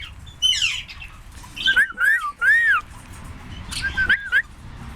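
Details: Pet parrot talking and being silly: a rough squawk, then a series of clear whistled notes that arch up and down, several in quick succession, with faint background hum.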